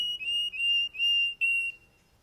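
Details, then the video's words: Male Russian canary holds a pure, sustained low whistle, broken into a few long notes with brief gaps, before trailing off into quiet. "Russian canery male singing"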